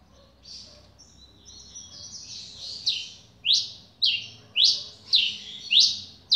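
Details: Double-collared seedeater, a newly acquired bird, beginning with soft, wavering warbles. These give way to a regular run of loud, clear, downslurred notes about every 0.6 seconds. The background is quiet.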